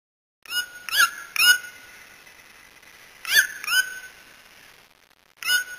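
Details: White-throated toucan, a Brazilian bird, giving loud yelping notes in pairs and threes, each a short rising-falling yelp with a harsh ringing tone, separated by pauses of a second or two; steady high-pitched insect-like whine continues in the background.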